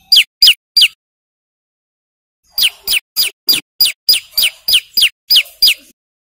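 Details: A male bar-winged prinia sings at full volume for luring wild birds; three quick falling notes, a gap, then a long even series of high descending chirps at about three per second.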